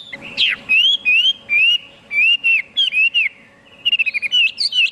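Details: Chinese hwamei in full song: loud, clear whistled phrases of slurred notes that swoop up and down, with brief pauses between, ending in a fast series of short repeated notes and further rich warbles.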